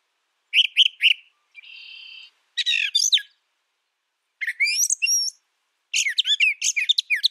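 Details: Varied brown thrasher song with clipped chirps, a steady buzzy trill, a rasping burst, then rising and falling whistled notes and a quick run of sharp slurred notes, all separated by short silences.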